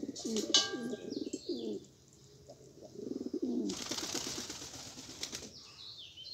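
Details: Rare pigeons described as Australian give two bursts of deep, throaty, undulating cooing, each lasting about a second or more. A loud hiss of noise follows, and light chirps sound overhead.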